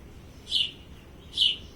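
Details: A House Sparrow in a courtyard, while a mother feeds her chick, gives two bright, high chirps about a second apart over a soft, steady low background hum.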